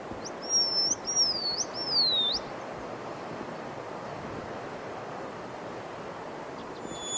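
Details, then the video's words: Short-clawed lark, western dialect call: a two-second, high, musical whistled phrase that wavers up and down and slides lower, then a steady background hiss. "And now I'm going to play the western dialect. You can hear short-clawed lark, but it has a very different ring to it, a lot more musical."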